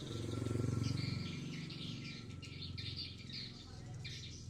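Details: Swiftlets at a swiftlet building in Blokagung, Banyuwangi, East Java, that has begun producing. Rapid high, thin chirps repeat about four times a second over a steady low hum.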